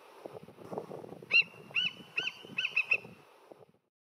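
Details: Immature bald eagle filmed at high zoom from a kayak, giving a quick series of about six thin, high, piping notes that bend slightly, over faint low rumbling background noise.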